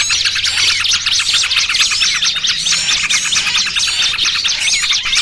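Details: Trapping lure for small birds mixing noisy trucukan and 'burcil kejepit' calls: loud, dense high-pitched chirping with overlapping arched notes, uneven rhythm of about two per second.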